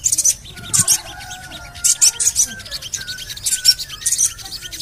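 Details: Javan cochoa call used as a lure so birds start singing: regular bursts of very high chirps, around two per second, over thin level whistles, the 'cuit cuit cuit' pattern.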